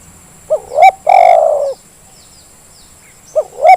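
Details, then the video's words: Lure recording of a spotted dove meant to stir silent birds into calling: a quick double coo runs into a long, rolling, even coo, then a pause and the two short coos start again. "Suara pancingan terkukur yang malas jadi bunyi"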